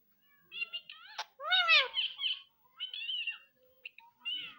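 A rose-ringed parakeet talks in quick, nasal, speech-like bursts, some phrases arching up and down in pitch, with brief sharp squeaks between them.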